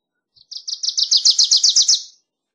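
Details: Song of a Wilson's warbler: one soft lead-in note followed by around twelve rapid, ringing chips that build in loudness and stop abruptly.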